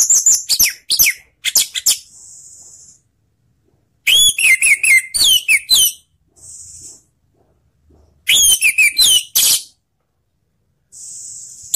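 Orange-headed thrush singing rich, rapid bursts of varied whistled and slurred phrases, roughly every four seconds, with a steady high hiss in the pauses.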